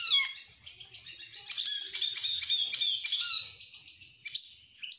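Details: Stressed oriental magpie-robin used to incite other birds to sing and to tutor them by day: continuous high jumbled twittering, ending in sharp, piercing whistles.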